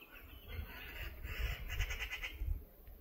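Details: Greater flamingos at the Lagunska ribogojnica nature reserve on 14 June 2024 give nasal, goose-like honks, several in quick succession and overlapping, over a heavy low rumble of wind.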